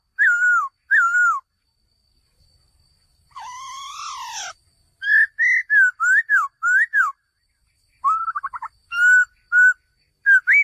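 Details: Male laughingthrush in a long sequence: two descending whistles, then a harsh, buzzy, rising chatter, then many quick varied whistled notes, some rising, some falling, and a fast stuttering trill.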